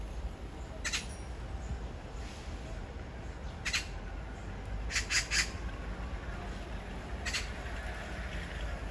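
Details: Morning magpie, captured on a phone outdoors: scattered harsh, scratchy chacks, single or doubled, spaced a second or more apart, with a low background hum throughout.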